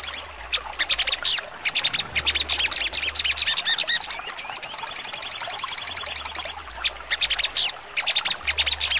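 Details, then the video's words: Sharp trotol singing by a sogon: busy, squeaky high chattering, then curving slurs running into a fast, even, piercing trill of about two seconds and renewed jerky chips, low hum beneath. "sogon trotol full nembak tajam"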